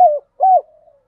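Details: Fragment of a decoy spotted dove's cooing song. Two low, smooth coos, the second longer, trail off into a faint fading hum.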